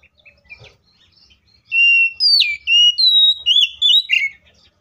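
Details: After a quiet start, an Oriental magpie-robin bursts into its fighting song, sung to prompt other magpie-robins to sing, with sustained whistles, a dropping slur and rapid varied notes.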